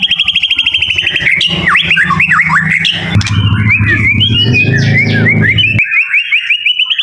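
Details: Caged, leg-banded murai in Central Jakarta, Indonesia: rapid repeated chip notes, then swooping whistled phrases and a high chattering run, partly masked by a steady low humming rumble in the middle.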